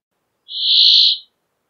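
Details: Single long nasal wheeze from a Brambling, an even buzzing tone that rises in loudness, holds, then tails off over about 0.8 seconds, in a quiet, clean recording.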